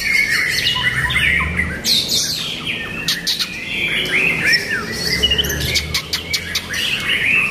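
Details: White-rumped shama song: rich, changeable whistles and warbled slurs, broken by abrupt clicking ticks and harsh chips, delivered in rapid bursts with short gaps throughout.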